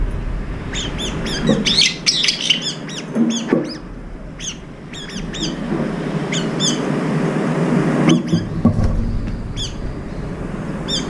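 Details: Up to five Brown-eared bulbuls feeding together at a morning food spot, quarrelling and chasing; clustered bursts of shrill, squeaky notes alternate with quieter stretches filled by a traffic-like rumble.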